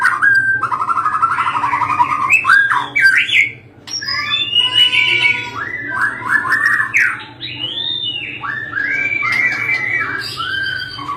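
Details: Caged white-rumped shama in full song, used as a tutor for other birds: loud rich whistled phrases, rising and falling arches and warbled runs, pausing briefly once, over a steady low hum.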